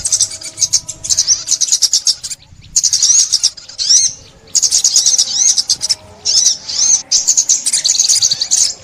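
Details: Sunbird song, as played for trapping: bursts of very high, rapid twittering with sweeping upslurred notes, broken by brief silences around two and a half and six seconds.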